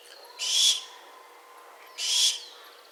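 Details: Barn owl giving two harsh, hissing screeches, each about a third of a second long, about 1.5 seconds apart, in an otherwise quiet setting.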